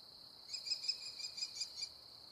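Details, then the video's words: While an American kestrel eats prey, a short, fainter burst of quick, high, repeated notes sounds for just over a second, partly masked by a continuous shrill insect hum. "American kestrel call sound, eating prey"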